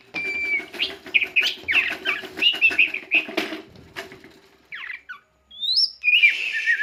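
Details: A caged white-rumped shama, a repeated contest winner, singing: a run of varied sharp whistles and chattering notes, then a brief pause and loud rising, slurred whistled phrases, with light rustling and faint background noise.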